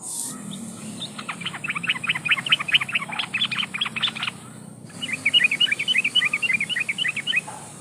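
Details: Lure call of a breeding female yellow-vented bulbul summoning males: two long runs of rapid, bubbly chattering notes separated by a short pause, over a steady background hiss.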